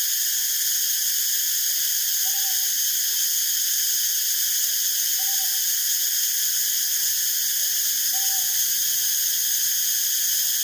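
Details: Northern boobook, subspecies Ninox japonica totogo, while foraging and preening: soft low hooted notes, a short note followed by a longer one, repeated about every three seconds under a loud, steady, high-pitched insect-like hiss.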